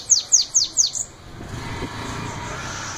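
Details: Sibite, the bananaquit, giving a short 'belga' song phrase of four high, downward-slurred notes in under a second. Low rumbling background noise follows.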